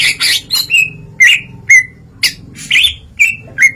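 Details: Greater green leafbird singing openly, delivering learned song phrases: loud, separate notes, each a harsh burst followed by a clear whistled tail, spaced about half a second apart.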